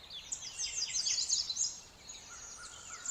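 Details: Several songbirds singing in spring nature, busy high twittering and quick downward-sliding notes crowding together, followed by a thin steady whistled tone and a few lighter chirps.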